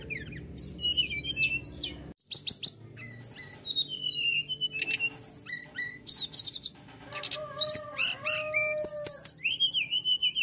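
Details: Rough-fill song of a very vocal brown-chested jungle flycatcher, played to prompt caged birds to sing. Rapid varied phrases of upslurred whistles, rattling trills and sharp ticks, ending in a sustained wavering whistle. A low hum is heard in the first two seconds.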